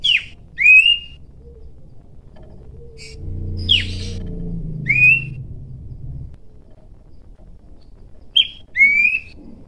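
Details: Wild pelanduk semak in energetic natural song used to call rivals: clear, high whistled notes in pairs, each short and slurred, some falling then rising, spaced a few seconds apart, with a low rumbling background noise midway.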